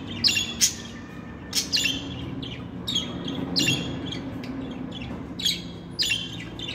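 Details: Pet budgies chirp and warble in loose clusters of grating, harmonic notes, louder at the start and end, with a low hum beneath.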